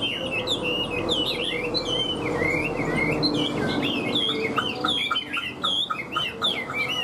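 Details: Caged hwamei with a stiff fig-leaf tail, a strong singer and fighter: varied, fluid whistling with swooping and looping notes, turning into quicker clipped repeated phrases about seventy-five times a minute toward the end.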